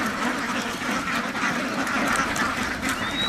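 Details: Ducks kept on a farm, a crowd quacking steadily with no pause. A brief high whistle rises near the end.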